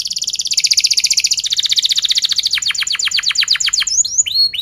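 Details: Gacor canary song for training young singers: a long dense high trill gradually opening into distinct falling chirps, ending in a few looping rising notes.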